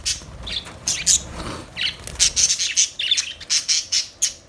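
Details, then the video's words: Budgies squawking and chirping: rapid sharp, high chirps repeated in a lively run, roughly two or three a second, with scratchy warbles early on. "Budgies Chirping Sounds"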